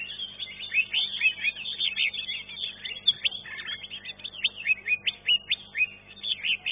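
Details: Third-placed green leafbird in a caged singing competition gives fast, tumbling chirps and whistled notes in an unbroken run, bright and high-pitched, amid the busy chorus of the contest arena.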